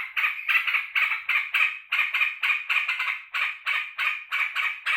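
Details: Caged sooty-headed bulbul greeting its returning keeper delivers loud, rasping chatter in rapid irregular bursts, with no pause through the clip.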